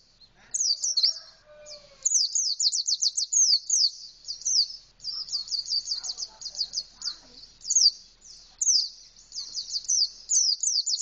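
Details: Canary-like song from an Indonesian white-eye singing full out with open beak, a long near-continuous stream of very high, fast, downslurred notes in rattling runs, with brief soft lower sounds in the background.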